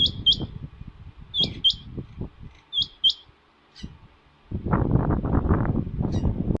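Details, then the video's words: Female rain quail giving sharp, high paired notes, repeated about every second and a half, over low rustling and a burst of loud scraping noise. "Female rain quail calling, chingay ki madi narr ki awaz mein bol rhi hai"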